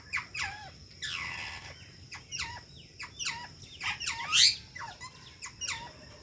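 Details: Ringneck parrot giving rapid sharp chirps that drop steeply in pitch, mixed with a longer grating squawk and one loud shriek, in a quick, uneven chattering series.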